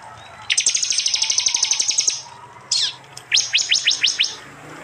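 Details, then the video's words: East Java, Indonesia, phone-recorded prinia in a songbird training mix: a long shrill rattling trill, a single loud falling note, then six quick rising chips. "Tembakan prenjak jali keras"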